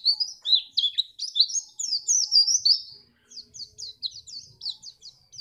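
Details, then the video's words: White-eye song for getting other birds to sing in contests: a dense burst of high, warbling twitters, then a short pause and a series of quick, separate down-slurred chirps. "pleci ini bisa membuat burung mu gacor"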